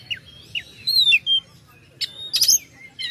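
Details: Kacer or oriental magpie-robin song for stirring up rival birds: slurred descending whistles, a long gliding note, then a harsh high burst and a short rising whistle.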